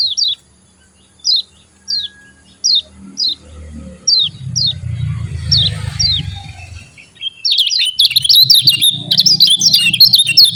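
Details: Javan white-eye (kecial kuning), a champion bird's voice used as a lure to stir quiet white-eyes into singing. Sharp, high, down-slurred 'ciak' chirps repeat about every half second, then a soft rustle, then a dense burst of rapid twittering.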